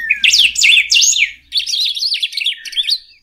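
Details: Golden-billed saltator singing: a fast, jumbled warble of high twittering and sliding notes, a loud first burst running into a slightly softer second phrase after a brief dip, with a faint low hum underneath.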